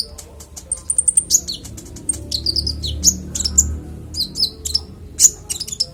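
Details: Konin song offered as clear master training audio for songbirds: rapid high chirps and thin whistled notes in quick bursts, some sharp downslurred, over a low background rumble.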